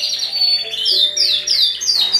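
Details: Several Belgian canaries, males and females, singing indoors as they are brought gradually into breeding condition for the 2017 season: a rapid run of high, bright chirps and sweeping trilled phrases over a faint room hum.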